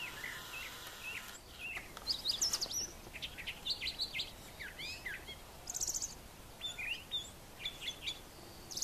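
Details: Morning song of a brown thrasher near brushy nesting sites on a farm; rapid varied phrases of buzzy and slurred notes in quick succession, some repeated, with other birds and steady ambient noise behind.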